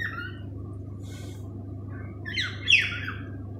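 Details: Male pet cockatiel singing indoors: a faint whistle at the start, then a burst of bright descending whistled notes near the end, with a steady low hum throughout.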